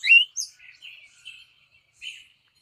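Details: Hispaniolan oriole from Hispaniola, between the Dominican Republic and Haiti: a loud rising whistled note and a high chip, followed by several softer short warbled phrases spaced apart.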